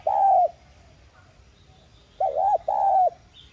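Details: Spotted dove kept as a decoy, 'Son' voice, cooing to call and spur other doves: a loud drawn-out coo, a pause of nearly two seconds, then a wavering note and another sustained coo.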